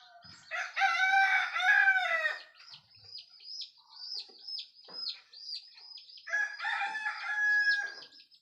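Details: Two rooster crows at dawn, heralding morning: a loud rich crow under two seconds long, a stretch of high repeated small-bird chirps, then a second crow of similar length near the end.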